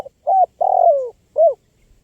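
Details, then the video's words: Spotted dove (tekukur), a lively-singing bird recorded for luring wild birds, giving three mellow hollow coos: a short note, a long drawn coo sliding downward, then a brief falling coo; quiet background. "SUARA LANGKA BURUNG TEKUKUR GACOR PALING AMPUH 2024 UNTUK PIKAT BURUNG LIAR"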